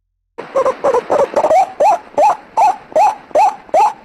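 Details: White-breasted waterhen lure sound opening with quick, stuttering lower notes that build into louder, upward-inflected 'ruak' calls spaced about half a second apart.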